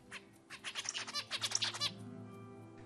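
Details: A zebra finch, an Australian songbird, sings a normal song: a quick run of buzzy, nasal syllables repeated in sequence, about a dozen notes in under two seconds, over a faint low hum.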